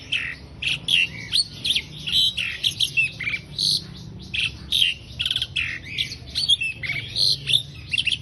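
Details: Asian pied starling song used as a master recording for training songbirds: a dense, chattering run of harsh squawks, whistles and buzzy notes, mostly high-pitched, delivered in rapid bursts with brief pauses and a faint low hum behind.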